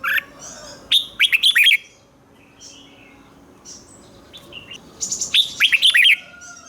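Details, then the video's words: Doubled song of a caged red-whiskered bulbul, played so young birds copy it: a short lead-in note, then two lively bursts of fast, bubbly whistles a few seconds apart, with faint distant chirps filling the gap. "นกหัวจุกนกร้องริก เบิ้ล3 เปิดให้นกฟังก๊อปติดง่าย#Chào mào#Red-whiskered BulbulIเบิ้ลร้องริก"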